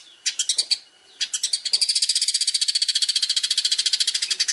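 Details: Long-tailed shrike master song for training contest birds: a few scattered sharp notes, a pause, then a long fast trill of high pulsed notes.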